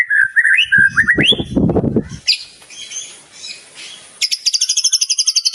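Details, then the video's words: White-rumped shama with a rich, mimicry-filled song: clear whistled notes rising in steps, then a burst of lower rough noise and a hiss, ending in a rapid, even series of high chipping notes. "masteran burung murai batu gacor bongkar isian mewah"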